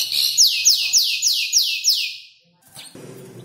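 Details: Young canary of five months, learning to order its song from imitated birds such as ciblek and prenjak lumut; a string of six loud falling whistles over a buzzy trill, then a short pause and soft noise.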